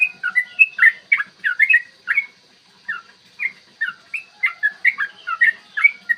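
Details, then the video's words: Yellow-vented bulbul song used as a lure to make other bulbuls sing and get agitated for fighting; a long, clear morning song. Bubbly, liquid whistled phrases, rising and falling, delivered in quick runs with a short pause midway, over a steady faint hum. "trucukan gacor TARUNG ROPEL PANJANG pancingan trucukan agar BUNYI dan EMOSI"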